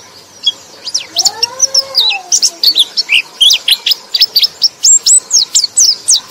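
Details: White-eye (pleci) twittering song meant to spur sluggish birds: quick high chirps and downslurred whistles tumbling in an accelerating series, with a few soft, lower, drawn-out whistles early on.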